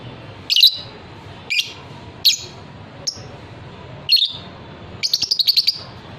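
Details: Captive fighter lovebird, bred for long ngekek trilling: several single harsh chirps about a second apart, ending in a rapid trill of around eight pulses.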